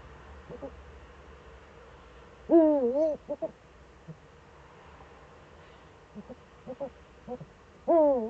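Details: Eurasian eagle-owl heard in the Eifel on 4 February 2014 at 7:27 to 7:46: long wavering hoots at the start and end, with clusters of short, quieter notes between them.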